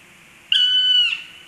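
Black stork giving a single high, clear whistled note about half a second long, steady in pitch and dropping slightly at the end, over a quiet background.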